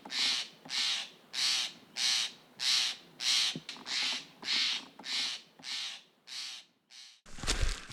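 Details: In a California forest, Steller's jays mob a male northern spotted owl that has just taken a mouse, giving harsh, raspy shack calls in a steady series, about eleven in eight seconds; a brief rustle ends it.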